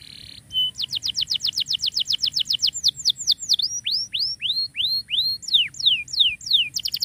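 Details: Tutor song for canaries that stopped singing: a short buzzy note, then a rapid run of high whistled notes that slows into separate falling swept whistles and closes with a fast trill, over faint low background noise.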